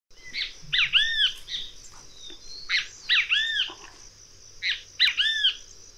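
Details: Great kiskadee calling: loud, clear three-part call, a sharp opening note followed by two arched, ringing notes, given three times about every two seconds over a steady high hiss.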